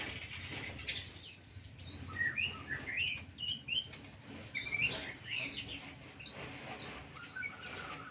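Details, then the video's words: Olive-backed sunbird song laced with cricket imitations, a rapid run of high, sharp chips and short rising and falling whistled notes, delivered in quick bursts with brief pauses over faint background hum. "konin metatalik isian jangkrik plus isian sehutan pastinya"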